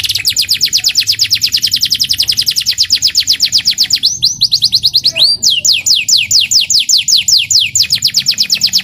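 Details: Morning-sunned young local canary pours out a loud, very fast trill of repeated high notes, then a brief tumbling phrase and a series of slower, ringing downslurred whistles.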